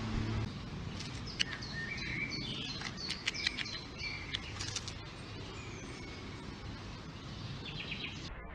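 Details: A courting pair of Eurasian magpies; the female flutters her wings and calls to her partner, apparently begging to be fed. Soft high chirps and clicks cluster between one and five seconds, then fade to quiet background noise.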